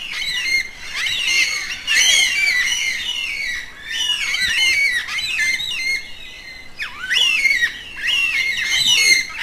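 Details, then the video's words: Yellow-tailed black cockatoos, social birds of southeastern Australia that communicate within small foraging groups. Continuous harsh, squealing calls with arched, rising and falling notes overlap throughout in loud waves. "Canto de Pássaros - Cacatua Fúnebre"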